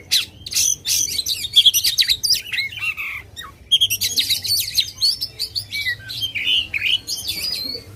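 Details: Oriental magpie-robin in loud, vigorous song meant to provoke contest birds: rapid, varied high whistles, buzzy chatters and sliding notes in dense bursts with brief pauses between phrases.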